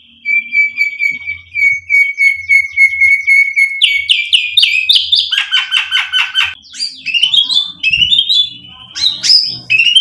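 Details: White-rumped shama song as a lure: a long run of quick repeated whistled notes on one pitch, breaking into harsh chattering bursts, then varied slurred whistles and squeaky phrases.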